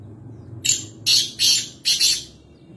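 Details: Black francolin (kala teeter) calling at Nawabshah, Pakistan: a harsh, high, grating phrase of four rasping notes, a short one followed by longer ones, the last note doubled, over faint low background hum.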